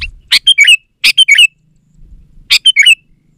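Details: Sooty-headed bulbul in energetic song, used as a lure for reluctant birds: three quick phrases of four bubbly, chirping notes each, repeated roughly every second, clear against a quiet background.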